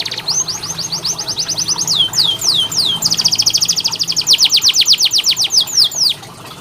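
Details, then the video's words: Canary training song for birds that sing rarely: a long rapid trill of high sweeping notes, slower looping whistles, then an even faster rolling trill before fading out. "KENARI malas bunyi, Terapi untuk kenari masteran canary"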